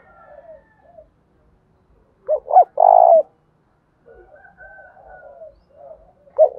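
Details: Spotted dove in Đồng Thổ voice, cooing to goad a rival male. One loud phrase of two clipped notes and a long, full coo, with softer murmured coos before and after. A final note starts at the end.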